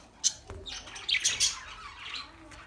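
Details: Pet budgerigar sounds played as company for lonely birds: a few short, bright, high chirps and a twittering burst over about three seconds, with a quiet background.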